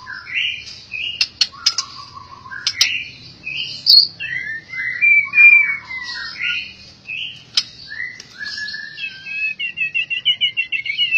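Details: White-rumped shama, an albino bird, sings a long varied sequence of rich whistled phrases, sharp high chips and sliding notes, closing with a fast, evenly repeated trill of rolling notes.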